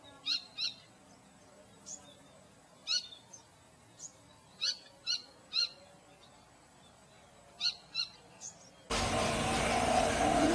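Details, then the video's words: Short, sharp bird chirps come singly or in pairs every second or two over quiet background hiss, and a loud broad rush of noise takes over near the end. "Birds Chirping Theme"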